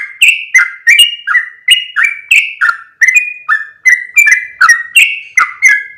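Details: Lure call of the yellow-vented bulbul meant to attract other bulbuls; a steady run of punchy, slightly buzzy notes with brief flat whistled endings, alternating higher and lower, roughly three per second, on a silent background.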